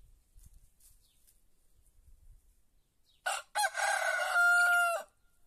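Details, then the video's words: Following a hushed stretch, a white rooster gives one full crow: two clipped introductory notes, then a long hoarse held note flattening into a pure sustained tone before stopping abruptly. "Gallo cantando"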